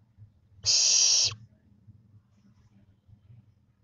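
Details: Growing barn owl owlets, about twenty-five days old and losing their downy coat: a single harsh, breathy hissing screech lasting about half a second, with faint low rumbling in the background.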